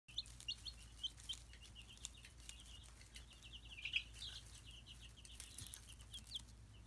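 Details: Ameraucana chicks giving thin, high peeps in short scattered bursts, some doubled, with brief quiet gaps between them and a steady low hum underneath.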